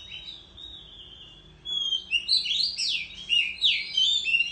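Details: {'text': 'Oriental magpie-robin singing competitively and fanning its tail in the countryside; a thin soft drawn-out note opens, then loud tumbling warbled and whistled phrases pour out continuously.'}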